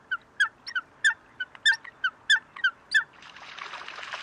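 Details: Eurasian coot in Greece in February, giving a run of short, sharp, clipped notes about twice a second, then a rising rush of broadband splashing or scuffling noise at the end.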